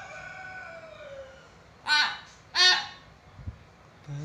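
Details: Two loud, grating squawks from a common hill myna come about half a second apart after a fading whistle-like tone. The bird's chatter serves as a prompt to get lazy mynas calling.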